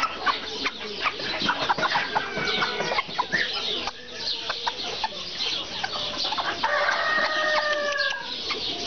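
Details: A group of Serama chickens clucking irregularly, with short sharp notes scattered throughout and a long, level crow near the end over the constant flock noise.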